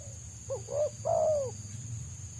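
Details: Dense, rapid 'selang nguku' song of a wild Spotted Dove (tekukur) wanted by trappers: two short coos, a brief rising note, then a long descending coo, over a low hum and high whine.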